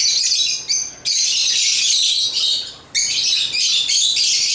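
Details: African lovebirds (Agapornis) singing with constant loud, high, buzzy chirps and squeaks, two brief breaks interrupting an otherwise continuous stream of harsh twittering.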